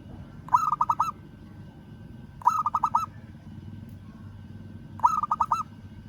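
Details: A local zebra dove calls out to a rival with three bursts of quick, pulsed, trilling coos, each under a second, spaced about two to two and a half seconds apart, over a low background rumble.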